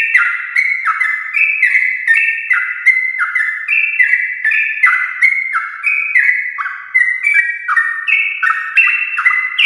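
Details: A vigorous sooty-headed bulbul gives a long 'ropel' song in the morning to get other bulbuls singing: nearly ten seconds of fast, warbled, descending notes packed closely, with barely any gap.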